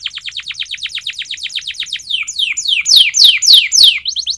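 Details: Canary singing a training song: a quick string of downward-sweeping chirps that slows into louder, wider sweeping notes near the end.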